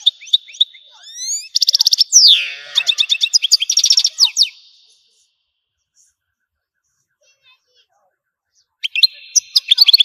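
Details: Algerian European goldfinch singing in bursts: rapid chirps, a loud buzzy rattle and a sliding slurred note, then four seconds of near silence before the song resumes with quick twitters.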